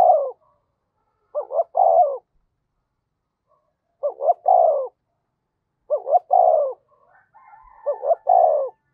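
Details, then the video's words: Spotted dove used as a decoy, repeating a mellow coo phrase of two short notes and a long low note roughly every two seconds, with a faint twittering bird heard near the end. "Chim Cu Mồi-cu gay kich boi nhanh noi gù"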